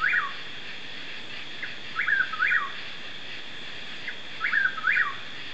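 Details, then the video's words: Chuck-will's-widow (Antrostomus carolinensis) night song in mixed Piney Woods forest north of Houston, East Texas, USA, apparently calling from the ground: rhythmic whistled chuck-will's-WIDow phrase every two and a half seconds over steady insect hum. "Birdsong, Chuck-will's-widow"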